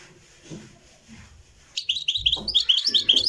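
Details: European goldfinch from Morocco, recorded live: a near-silent start gives way to a sudden stream of bright, fast twittering phrases at high pitch. Dull low bumps sound underneath.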